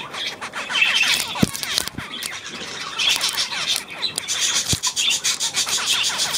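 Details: Budgerigars, 9 February 2024, keep up a scratchy warble of fast chirps and squawks, with two sharp clicks or taps cutting through.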